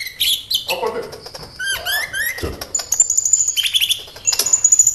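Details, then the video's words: Sunbird song used as a lure to prompt kept sunbirds to respond and sing: rapid high twittering with buzzy bursts and sharp chirps, then steady thin whistled notes and quick trills near the end. "SEMUA Burung KOLIBRI CUEK LANGSUNG RESPON DAN GACOR Dengan PANCINGAN INI!KOLIBRI NINJA GACOR"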